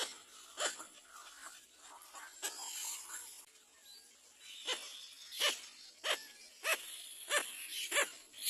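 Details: A little black cormorant, apparently calling its chick to get up, gives short, harsh, bark-like calls about one per second over steady hiss with faint high chatter behind.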